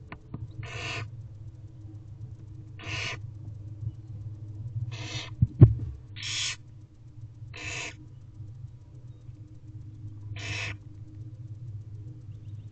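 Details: Hungry barn owl owlets in a nest box on a mid-morning in April 2023, crowding to the front as their mother tears food into pieces: short rasping hiss-screeches repeated every two seconds or so, six in all, over a low background drone.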